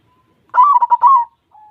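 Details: White zebra dove singing: a loud, rapid run of bubbling, rolling coos with a short trill, followed by a soft, drawn-out level note; quiet setting.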